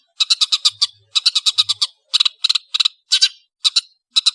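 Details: Long-tailed shrike, locally called cendet, singing vigorously: harsh, buzzy, scratchy notes in quick bursts of three to five, with short pauses between bursts and no other sounds.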